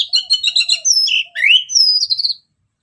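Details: Orange-headed thrush song used as a lure: a rich, varied phrase of rapid chirps and twitters, then slurred rising and falling whistles, loud and high, ending abruptly in silence.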